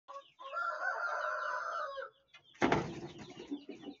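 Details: Leghorn rooster crowing: one long, hoarse, harmonic-rich call held for nearly two seconds, followed after a short pause by a burst of rustling, flapping-like noise.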